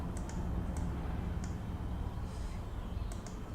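Steady low rumble with a few sharp clicks and ticks, like handling or tapping noise; no animal voice stands out.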